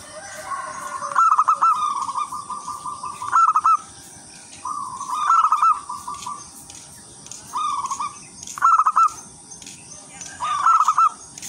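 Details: Vigorous melodious singing of a local wild zebra dove, used to lure other zebra doves: a series of rolling, bubbling coo phrases of quick pulsed notes, about every two seconds, against steady high hiss.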